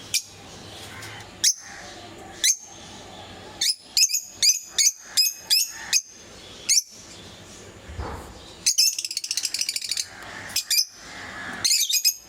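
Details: Pet lovebirds in various mutations calling with spaced, thin, high chirps, then a burst of dense rapid chatter and more sharp squeaks, over a low background hum.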